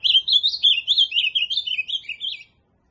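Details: Loud, clear ultramarine grosbeak phrase: a quick string of sweet slurred notes over a quiet background, sliding lower toward its end.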